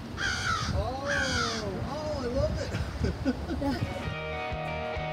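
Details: Crows in a backyard calling loudly as black vultures arrive at a carcass: two harsh, drawn-out caws in quick succession, overlapped by a woman talking, with background music rising near the end.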